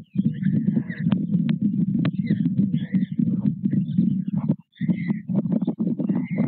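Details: Loud begging from white stork chicks being fed by their parents at a nest at Nové Mlýny, 6 May 2024. A strong, continuous low throbbing clatter dominates, with brief raspy high squeals and one short break.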